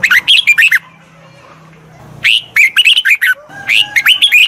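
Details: Red-whiskered bulbul, a wild-caught bird being trained, bursts into fast chattering runs of sharp whistled notes, two dense phrases split by a one-second pause.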